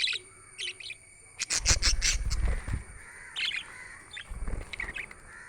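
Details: Budgies giving quick, bright chirps in clustered bursts, with a dense rattling volley in the second and third seconds along with low thumping sounds, then scattered softer twitters.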